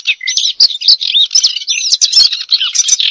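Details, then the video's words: Continuous high warbling from a European robin, looping whistled notes and thin slides run together into a rich, unbroken stream. "أجمل تغريد لطائر الدخل"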